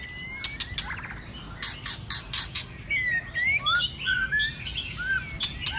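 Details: A white-rumped shama excited into its many-voiced fighting song during the cold season: harsh clicks and rattles at first, then sweet rising and falling whistles in loose phrases.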